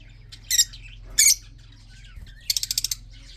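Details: Two loud harsh squawks from red-eyed budgerigars in a breeding group, then a rapid rattling series of about seven clipped clicks, set against a low droning hum.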